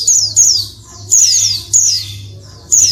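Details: Noisy female Oriental white-eye calling to trigger male song: shrill high notes that slide downward, paired then single, repeated about every half second with steady low background hum.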